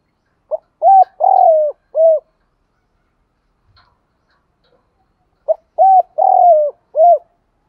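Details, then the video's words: Cooing spotted dove, played to prompt kept male and female doves to coo. The four-part phrase is heard twice, with a pause of about three seconds between: short note, hollow coo, long rolling coo, final coo. "tiếng chim cu gáy kích bổi nhanh nổi và gáy theo cả ngày"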